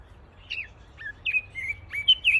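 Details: Caged Pekin robins in an aviary sing a short run of clear, slurred whistled notes, some rising and some falling, spaced irregularly at first and then quickening, against a quiet background with faint low hum.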